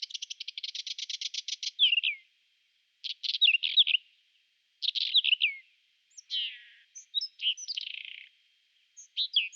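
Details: Whinchat singing in spring, April 2020, in Italy: short, scratchy phrases of rapid rattling notes mixed with high whistles and squeaky trills, each burst about a second long with brief pauses between.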